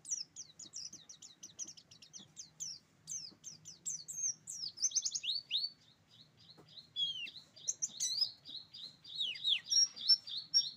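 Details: Buxtoni-type Oriental white-eye delivering roll tembak song, a long, fast, high-pitched run of chirps and slurred whistles, dense bursts alternating with brief lulls, over a soft low hum.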